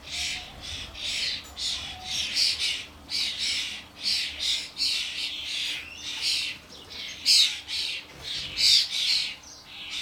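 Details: Adult common starlings and their fledglings at a garden bird feeder: rasping, hissy squawks repeated steadily, about fourteen bursts over ten seconds.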